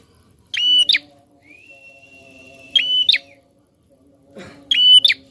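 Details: Prinia song meant to set other birds singing: three loud, piercing, clipped bursts roughly every two seconds, with a thin, level whistled tone between the first two and a constant low hum behind.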